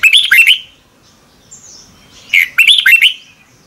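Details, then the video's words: Red-whiskered bulbul, morning training song in the double-twist voice style: a bubbly phrase of quick warbled whistles, a pause with one high thin note, then a longer phrase of bright, down-curving notes. "Luyện chào mào hót sáng 2022 - Hót hay nhanh căng lửa | Ép bổi Giọng xoắn kép"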